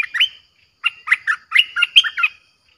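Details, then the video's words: A Streak-eared bulbul song with a fierce tone, played as a lure for wild birds. A short two-note opening is followed by a pause, then a quick, jumbled phrase of about nine bubbly, chattering notes. "เสียงนกดอกแตงEp.98เสียงดุดัน เปิดต่อนกป่าตัวดุๆ"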